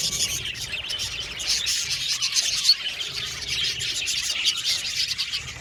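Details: Aviary flock of budgies chattering as a group, with thick overlapping high chirps and raspy twitters forming an unbroken bright murmur, one slightly louder chirp rising out of the mass midway.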